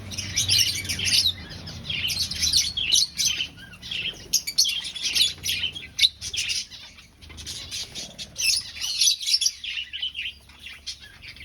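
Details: A breeding colony of finches in an aviary, seeking nests, fills the air with dense, overlapping high twittering and chirps in waves, easing off briefly near the middle.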